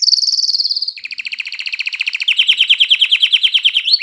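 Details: Canary song intended to excite females for breeding and spur chicks to sing: a continuous fast trill, starting high, dropping to a lower buzzy rattle, then rising again into a dense, loud pulsed phrase.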